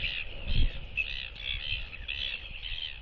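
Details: Greeting skycalls of a northern royal albatross pair bonding at their egg on a nest camera, December 2023; several grating, nasal brays strung close together, a low wind buffet near the start.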